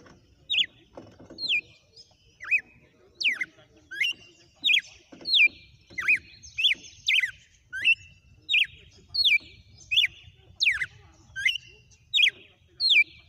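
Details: Wild red-cowled cardinal singing a 'sequência de açoites' (whip sequence) song: a brisk series of about thirteen sharp, downslurred whistled notes, roughly one per second, some phrases carrying a thin sustained overtone.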